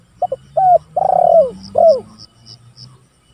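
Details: Spotted dove calling rivals, kept as a lure and training recording: two quick notes, a short coo, then a long sliding coo and a final falling note; faint high chirps and a low hum behind.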